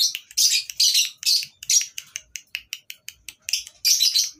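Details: Lovebirds on a breeding farm, natural sound for tutoring: loud screechy chatter bursts, then a run of rapid short chips about three or four per second, before the chatter resumes.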